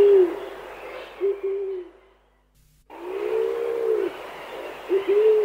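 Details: Chilean pigeon, Chile: deep, hollow cooing, a short note and a flatter held one, a brief silence, then a long swelling coo followed by two quick soft notes, with faint distant birdsong behind.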